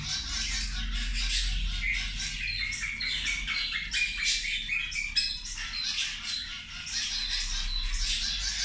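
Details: Busy lunchtime chatter of feeding zebra finches: quick repeated squeaky, nasal calls overlapping from several birds, steady throughout, over a low background hum.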